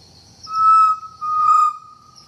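A Chestnut-necklaced partridge gives two clear, steady whistled notes, each about half a second long, over a faint high insect hiss.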